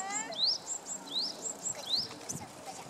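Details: Japanese tit in spring song, a clear two-part phrase of an upward-sliding whistle and a brief high note, repeated three times at roughly even spacing, with soft background noise.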